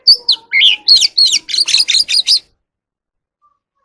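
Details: In the evening, an Oriental magpie-robin sings a rapid, varied run of clear whistles and scratchy chirps for about two seconds, then falls silent.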